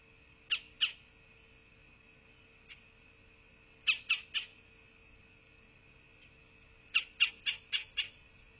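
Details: Bald eagle at the nest in southwest Florida, 8 November 2023 at midday: scattered bursts of high piping notes, first two, a faint single note, then three, then a rapid chattering run of five, over a steady hum.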